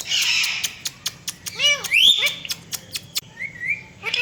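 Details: Indian ringneck parakeet, a pet talking bird said to copy a cat, makes steady ticking clicks, an arched falling call, a bright rising whistle, then a soft wavering whistle.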